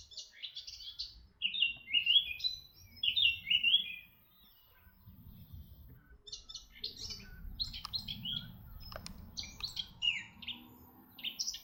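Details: Red-backed shrike recorded in 2025 at Artomaña near Orduña, Bizkaia, Spain: short clusters of sharp, squeaky chirps with pauses between phrases, then a scattered scratchy twitter, over soft low background noise.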